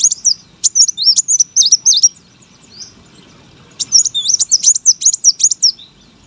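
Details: Competition brown-throated sunbird delivers two bursts of rapid, shrill rising and falling squeaks, with a quiet gap of about two seconds between them.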